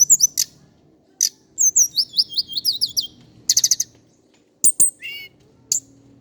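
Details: Indigo flycatcher, a male from the mountains of Java, singing a fast series of high, thin whistled and twittering phrases broken by sharp short notes and brief pauses, with a clean background.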